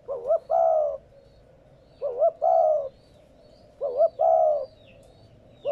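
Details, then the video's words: Spotted dove repeating its coo to prompt captive doves to start cooing. Three phrases come about every two seconds, each a quavering double note and then a long, even, slightly descending coo. "Tiếng Chim cu gáy kích bổi mới"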